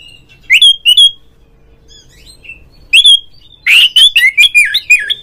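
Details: Loud oriental magpie-robin (kacer) song played to prompt other magpie-robins to sing: ringing upslurred whistles, a pause, then a harsh buzzy burst leading into a fast string of falling whistled notes.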